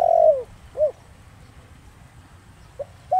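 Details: Spotted dove cooing in the 'thổ đồng' style, used to provoke wild doves into answering: a long, burry, falling coo, then a short arched note, with two brief soft notes near the end over a quiet low background.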